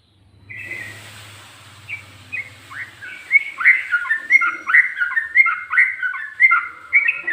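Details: A yellow-vented bulbul sings in ropel, ngikluk and garuda styles, a low hum at first, then short upslurred whistles that quicken into a rolling series of bright, bouncing notes about once a second.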